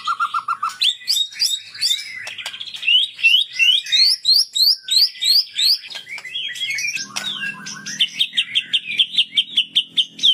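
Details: Sunda bulbul in sambung cililin style song: a short low whistled trill, then a long run of rapid, high, zigzagging whistled phrases repeated in quick succession, loud and continuous.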